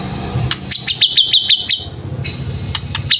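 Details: White-rumped shama singing tembakan-style bursts: rapid, evenly repeated sharp high notes, then a steady high buzzy tone, over a low rumbling background hum.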